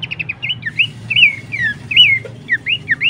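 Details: Horsfield's babbler whistling for songbird training: opens with several quick short notes, then longer slurred whistles that rise and fall, spaced under a second apart.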